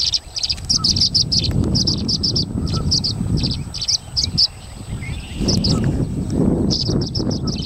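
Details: Migrant tree swallows competing for nest boxes at the Salmon Creek box grid, more birds arriving, give rapid bursts of high, liquid chirps, several birds calling at once, over a low rumble of wind.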